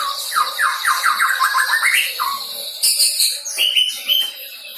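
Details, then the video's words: Young white-rumped shama, recently out of the juvenile stage, learning to deliver its song with filler material: a fast run of rising slurred notes, then a high buzzy trill and short whistled phrases. "MURAI BATU PASTOL GACOR BELAJAR BAWA MATERI"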